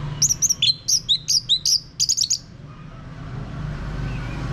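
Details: Orange-headed thrush lure song meant to draw a male into loud ngeplong singing: a quick run of high, sharp whistled notes and slurs lasting over two seconds, then only low background rumble.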